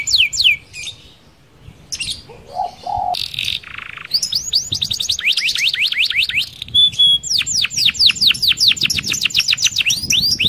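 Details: Canary singing a lively rolling song used to lure other canaries: rapid trains of high descending sweeps in fast bursts, broken by short buzzy notes and a lower rattling phrase early on, then long repeated chip series.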